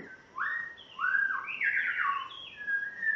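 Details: On its first day in a new home, a captive spotted morning-thrush originally from Tanzania sings a flowing phrase of mellow whistles that rise and fall, with gliding, overlapping notes.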